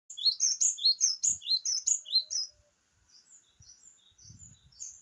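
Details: Java sparrow in full song, pouring out a quick run of bright, bell-like chirps that dip and rise, about eight notes in two seconds, then softer scattered tinkling notes with faint low thumps.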